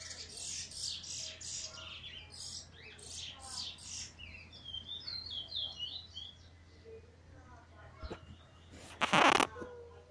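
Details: Eurasian bullfinch recently out of molt, singing on 1 January 2022 with a 'weet teeture' flute roll: bursts of high chirps, then soft piping whistled notes, ending in a sharp clatter.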